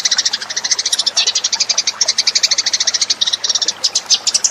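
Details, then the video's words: Lure call of the Eurasian tree sparrow, a continuous rapid chatter of high, bright chirps packed closely together, with brief gaps now and then. "suara pikat burung gereja"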